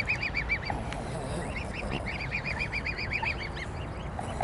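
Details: Begging swans at the swan pond in Dresden's Großer Garten park, caught on a compact camera: overlapping runs of short, nasal, honking notes from several birds, with a low background rumble.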